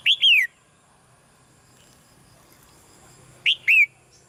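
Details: Caged female red-whiskered bulbul calling softly to stimulate a male to sing louder: two pairs of clear whistled notes, each rising then sliding down, one pair at the start and one about three seconds later, with quiet between.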